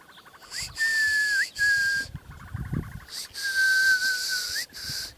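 Ostrich chicks give long, level whistled notes, each about a second, ending in a quick upward flick, broken by bursts of hissing noise.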